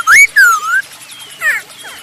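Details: Masked laughingthrush song used to lure other birds into singing: loud slurred whistles, one rising and one falling, then a quieter pause and a shorter burst of tangled whistled notes.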